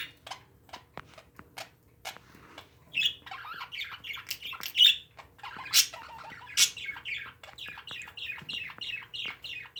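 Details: Pet parakeets begin with scattered clicks and ticks, then build into a steady stream of rapid, high, chirpy twitters with occasional louder squawk notes.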